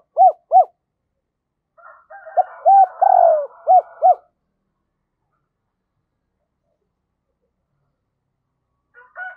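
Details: Decoy spotted dove calling to entice wild doves: two brief coos, then a phrase of quick arched notes around a longer purring note, followed by silence and a faint murmur at the end.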